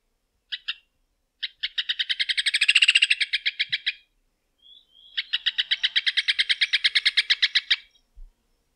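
Rufous hornero giving two loud bursts of sharp, ringing notes, each a fast, rattling series of about three seconds that swells and then fades.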